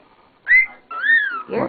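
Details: Pet cockatiel that loves to sing and whistle gives clear, arching whistled notes, ending in a brief raspy burst.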